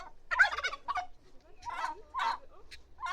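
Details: Turkey (Meleagris gallopavo), gobble.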